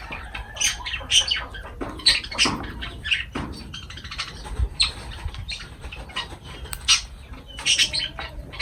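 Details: Lovebirds calling while feeding, giving sharp high chirps and squeaks in scattered bursts, several birds overlapping, with faint rustling and wing sounds between calls.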